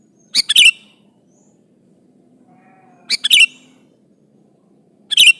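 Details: Sooty-headed bulbul singing to call an opponent, used to bait other bulbuls; clipped bubbly whistled phrases of two or three notes, repeated roughly every two and a half seconds with a faint low hum between.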